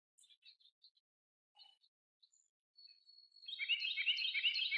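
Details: A kingfisher, recorded March 2023, gives a few scattered high chips, then one thin sustained whistle, and breaks into a loud, harsh, rapid rattling chatter.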